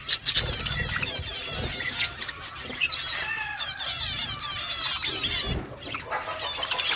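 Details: Budgerigar mother feeding her chicks: harsh, scratchy chatter with warbled, wavering notes, loudest in a squawky burst at the start and again near two and five seconds. Soft low rumbles sit underneath.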